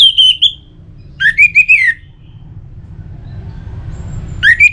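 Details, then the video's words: Orange-headed thrush song used to stimulate birds into singing: a whistled phrase near the start, then a louder rising-and-falling warbled phrase of several quick notes, and a new phrase beginning at the end, with low steady hum between. "Pemancing Burung ANIS MERAH Agar Selalu Gacor"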